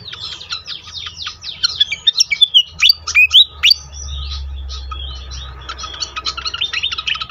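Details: Pied fantail singing on a lure track meant to get other fantails singing quickly. Fast squeaky chips build into a run of loud, sharply rising whistles, then soften into busy high twittering over a low hum.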